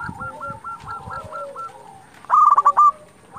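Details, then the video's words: Local zebra dove in full song, used to stir rival doves to reply: a soft series of hooked coos, then a loud rapid burst of clipped, rolling notes near the end. "Perkutut lokal gacor Sekali Putar Lawan Pasti Emosi Langsung Nyaut"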